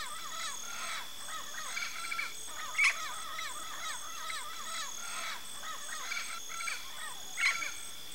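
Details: Yellow-faced parrot (Alipiopsitta xanthops) uttering rapid runs of nasal, arched harmonic notes, repeated several times a second, with two sharper, louder squawks standing out against constant background hiss.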